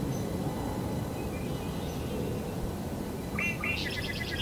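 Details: A red-winged blackbird, an early spring arrival heard from as early as late February, gives one brief song near the end: a few clipped notes, then a bright, ringing trill, over a steady low rumble.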